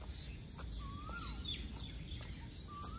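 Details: Indian cuckoo singing at Surajkund in a natural setting with a cool breeze: clear, slurred whistled notes, one long rising-and-falling note and a rising one near the end, over a steady insect hiss and low rumble.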